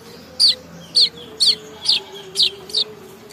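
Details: Young weaver from Bima, West Nusa Tenggara, learning to sing: six short, sharp chirps about every half second, each a quick falling high note, over a low steady hum.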